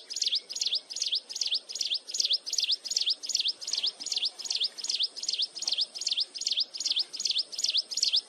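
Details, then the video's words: Mountain wren heard close by giving a continuous, ear-piercing song, a long run of bright, high dipping-and-rising notes at an even pace of roughly two and a half per second, a thin steady high tone and soft hiss behind. "Cận Cảnh Tiếng Hót Liên Hồi Chói Tai Của Chim Hồng Tước Núi"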